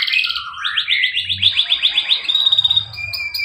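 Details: Singing male canary, a lure track for silent and young canaries: a short low warble rising into a rhythmic trill of repeated rising notes, ending in a thin sustained whistle, with faint low rumbling beneath.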